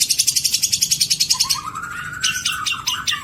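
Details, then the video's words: Long-tailed shrike in a 2022 tutoring recording of rich song material: a fast, even series of high rattling notes, then a long rising whistled slur with sharp chirps above it. "Burung Cendet materi MEWAH"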